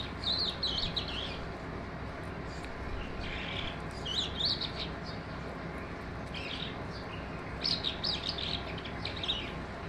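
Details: Eurasian skylark (Alauda arvensis), song.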